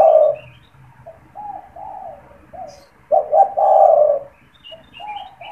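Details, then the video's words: Spotted dove, a caged bird that coos often when people are near its cage, used as a lure for wild doves; low husky coos with two short notes then a long drawn note, repeated, faint chirps of other birds behind. "SUARA PANGGILAN DAN PANCINGAN TEKUKUR TERBARU | TEKUKUR GACOR BAGUS BUAT PIKAT"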